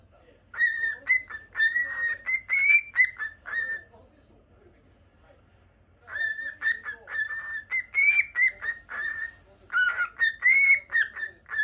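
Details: Lutino cockatiel kept indoors as a pet whistles long chattering runs of clear, gently wavering notes, pausing about two seconds midway before a second, equally busy phrase.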